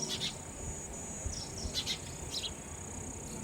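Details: Sparrow chicks being fed raw insects by a parent: a few short, high, downslurred chirps in quick clusters over a steady high-pitched electrical whine and low rumbling background noise.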